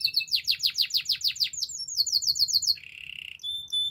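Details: Loud canary song of quick repeated downswept syllables, about eight per second, shifting to a higher rapid series, then a low buzzy roll and thin high whistles, over faint low hum.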